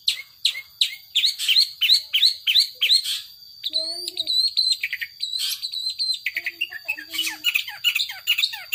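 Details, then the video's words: Long-tailed shrike kept as a cage bird, delivering 'power sobek' song: fast runs of rasping downward-sweeping notes, then a pause with a few softer whistled tones before the harsh chattering resumes. "Burung Cendet Power Sobek"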